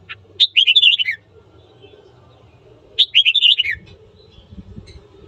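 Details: Morning song of a red-whiskered bulbul, used to incite fighting: two bubbly descending warbled phrases about 2.5 seconds apart, over a steady low hum and some rustling.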